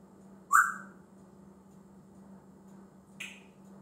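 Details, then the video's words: Male pet African grey parrot, a talker that keeps learning new words and makes many noises: a short bright whistle bending downward, then about two and a half seconds later a fainter, higher squeaky note over a steady low hum. "Talking African Grey parrot"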